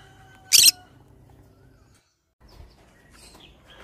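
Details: Single abrupt, harsh screech from a pet pineapple green-cheeked conure, then near silence and faint soft chirps and rustling.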